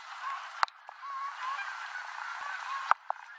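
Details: Flock of Canada geese gathering at day's end over the Rogue River in Oregon, calling during full-flap landings; steady mid-pitched honking chorus broken by loud clicks and knocks from a bicycle on a dirt road.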